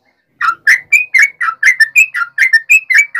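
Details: Fighting song of a yellow-vented bulbul: a steady, fast stream of about a dozen bubbly, slurred notes that alternately rise and fall, each note clear and strong.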